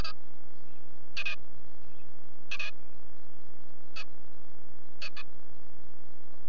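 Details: Black-capped chickadee pair at a nest box they claimed, recorded by a camera inside the box; short bursts of high notes, some paired, come about every second or so over a steady electronic hum.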